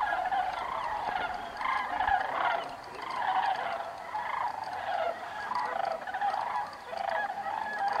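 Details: Sandhill cranes migrating north, riding a thermal over Bandelier National Monument; many birds call at once in a dense, trilling, gurgling chorus that swells and ebbs every second or two.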